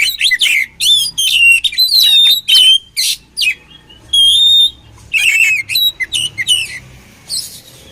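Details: Oriental magpie-robin song used for training birds, with a continuous run of loud varied whistles, sweeping slurs and harsh chattering notes, broken by brief pauses.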